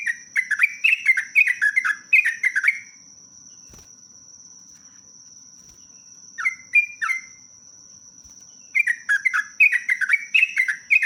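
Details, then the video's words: Sooty-headed bulbul singing lively, long rapid phrases: dense bursts of short, bubbly, falling whistled notes, a pause with a few isolated notes, then another fast chattering run, all over a constant thin high tone. "BURUNG TRUCUK PALING GACOR"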